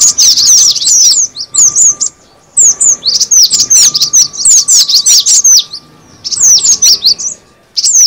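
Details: Cinereous tit lure sound: repeated bursts of thin, high twittering chirps and sharp downslurred notes, interrupted by several short silences, with a faint steady hum throughout.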